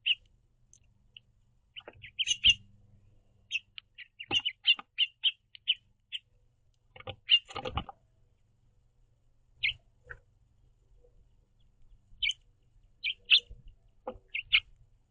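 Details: House finch pair communicating while feeding at a backyard platform feeder: a lively series of varied short high chirps in loose clusters, with rustling from the birds shifting on the perch.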